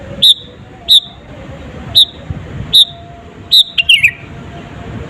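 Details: Sooty-headed bulbul 'gacor' song used to provoke rival birds: four evenly spaced single whistled notes, then a quick tumbling cluster of falling whistles at the end, over soft background hiss.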